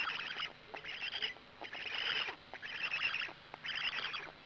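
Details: Black stork at the nest, Gemenc, evening of 13 May 2017, an adult arriving and then feeding. Four or five scratchy, hissing bursts sound about once a second, each rising and fading quickly.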